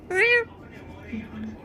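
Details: Talking parrot mimicking a cat with a single short, rising-then-level meow, harmonically rich, followed by faint low murmurs.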